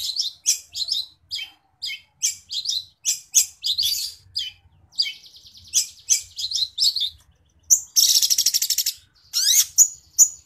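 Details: Long-tailed shrike singing sparrow-like chirps in quick sharp bursts, then a dense buzzing rattle, followed by a few high clipped notes.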